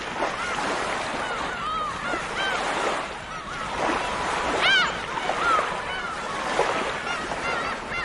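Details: Seagulls calling in a noisy crowd: many short arched, nasal cries overlap continuously, with a few louder, sharper squeals near the middle, over steady rushing surf.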